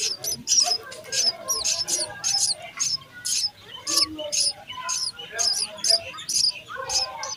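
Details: Nest of sparrow chicks at feeding: a dense, continuous stream of high, harsh chirps, several per second, with quieter twittering notes beneath.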